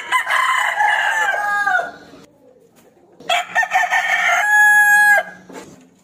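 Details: Two loud crows from a rooster challenging an opponent to fight. Each is a long, rich, harmonic call, separated by a quiet gap of over a second.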